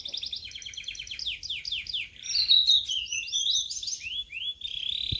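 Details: A Sulingan laut, kept only three days, sings a fast run of high, repeated, down-slurred notes, then a varied, sweet twittering warble of rising and falling phrases.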